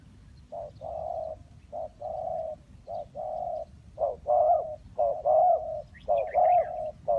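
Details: Dove in a bird-trapping setting repeating low, hollow coo phrases, each a short note then a longer drawn-out one, several in succession, with faint higher chirps from another bird near the end.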